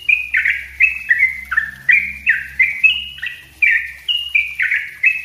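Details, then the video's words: Sooty-headed bulbul in full, dense song used to train other songbirds: a continuous string of clear whistled notes, each slurring downward, delivered roughly two per second, with a faint low hum beneath. "suara trucuk ropell rapat gacor bagus buat masteran"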